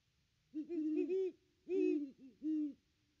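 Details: Great horned owl on a nest cam at the nest tree on Christmas Day, 25 December 2021, during a pair's ninety-one-minute visit: three deep, slightly rising-and-falling hoots, the first two run together, then a short pause and a final hoot.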